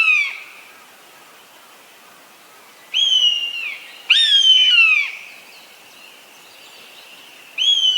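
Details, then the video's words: Eastern buzzard: repeated plaintive mews, each about a second long and sliding downward. One trails off at the start, then a softer call, a loud full call and the start of another follow over eight seconds. "ノスリの鳴き声 4K The call of the buzzard"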